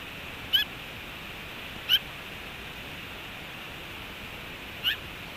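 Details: Black-billed magpie, one of three investigating an osprey nest at Hellgate Canyon, Missoula, Montana, on August 19, 2021, giving three short, sharp, harsh calls unevenly spaced over a few seconds against a steady high hiss.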